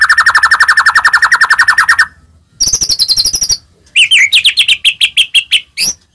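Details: White-rumped shama song used to provoke other shamas into singing with fighting spirit: a two-second rapid rattling trill, a high thin buzzy rattle, then a series of repeated clear chirped notes.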